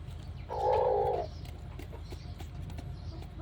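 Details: A rooster gives a single harsh, drawn-out, strange note under a second long, steady in pitch, seemingly a warning when sensing something strange or danger, over a low background hum.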